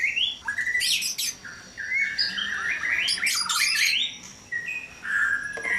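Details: White-rumped shama in a breeding cage at dawn: clear whistled notes and short slurs, broken by harsh crackling bursts, then a steady high whistle near the end.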